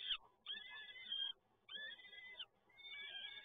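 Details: Young peregrine falcons begging as they are fed at PGE Toruń in Poland, 30 April 2022: a few long, thin, wheezy calls roughly one per second, separated by quiet pauses.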